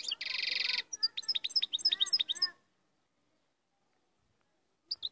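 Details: Moroccan royal goldfinch singing a rapid run of high, tinkling twitters and slurred notes with a buzzy rasp at the start. The song lasts about two and a half seconds, then falls silent before two last chirps.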